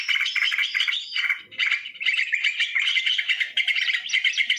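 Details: Sooty-headed bulbul lure sound recorded in the wild: loud, continuous chirruping and quick whistled phrases, briefly thinning at about one and a half seconds before resuming.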